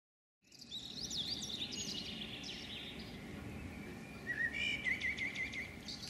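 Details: Female common blackbird scolding on a house roof before flying away: after a brief silence, scattered high chirps and short notes, then a run of quick wavering trilled notes in the middle-high range, over steady low outdoor background noise.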